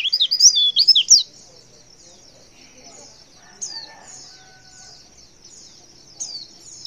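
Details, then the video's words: Female white-eye calling to make males respond: a quick burst of high, sharp twittering chirps in the first second, then sparse, faint high notes over a quiet background. "Suara CALL PLECI BETINA Super Lenjeh BIKIN Pleci Jenis Apapun Cepat Respon & gacor"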